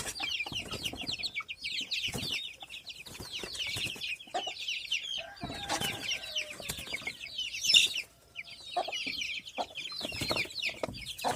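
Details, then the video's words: Native village chicks (ayam kampung) in a simple coop, peeping continuously in dense overlapping high chirps, many birds calling at once, with occasional lower clucks and scattered knocking noises. "ANAK AYAM KAMPUNG"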